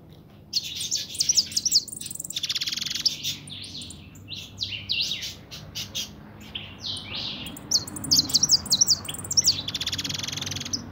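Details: A kept pintón European goldfinch sings a fast, tinkling warble of high twittering notes and bright buzzy trills, continuous over a low steady hum.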